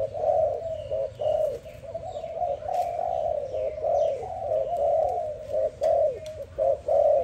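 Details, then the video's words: Dove calling in the morning: a near-continuous run of soft, mid-pitched coos, each swelling and fading with brief breaks between, a few faint higher chirps from other birds in the background. "Dove lovely sound -morning sound of dove"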